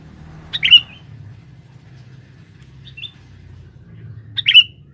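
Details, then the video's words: A male sooty-headed bulbul used to lure birds in the forest gives clipped, bright chirps at the start and end, with a faint note between, over low droning background. "pikat burung kutilang jantan buat pancingan di dalam hutan"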